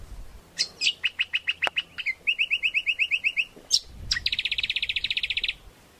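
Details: Song of a greater green leafbird used as a lure and tutor recording for training birds: varied sharp chirps lead into rapid runs of repeated whistled notes, ending in a fast buzzy trill.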